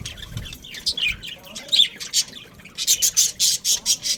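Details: Budgerigars, a caged breeding pair of Australian parrots, twittering with high warbled chirps, then a run of evenly spaced, loud scratchy chirps about three to four per second.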